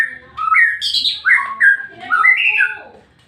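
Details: White-rumped shama song meant to stir a rival shama to sing: a varied run of clear whistled notes, rising slurs and a few buzzy high bits, fading out at the end.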